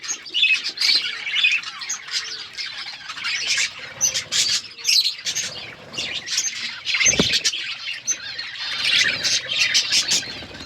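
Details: Budgie flock in an outdoor aviary, said to be wild: uneven bursts of squawky chirps and twittering warbles from many birds, broken by a short sharp knock partway through.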